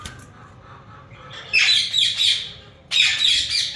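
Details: Loud, rasping screeches from a yellow Indian ringneck breeder pair, coming in two bursts of quick overlapping squawks separated by a short pause.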